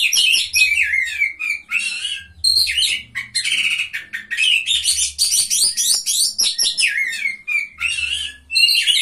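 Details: Oriental magpie-robin singing at a bird singing contest: a loud, rich, continuous stream of varied whistles, rapid chattering phrases and buzzy notes, mostly high-pitched, with faint low hum in the background.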